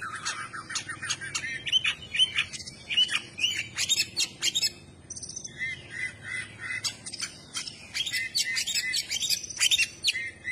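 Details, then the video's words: Oriental magpie-robin singing with its tail spread: a lively run of clear whistled notes mixed with sharp chirps and harsh squawks, delivered in quick bursts separated by short pauses over faint background noise. "kacer gacor dor ,kacer gacor buka ekor"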